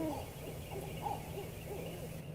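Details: Two barred owls (Strix varia) hoot and call in a quick run of low, muffled hoots and wavering, curious calls, described as monkey-like and often mistaken for Sasquatch, over a steady electrical hum.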